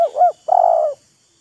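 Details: Spotted dove answering a decoy in a vocal showing-off contest: two mellow coo notes joined by a slight dip, a short pause, then a sustained, trilling, low coo.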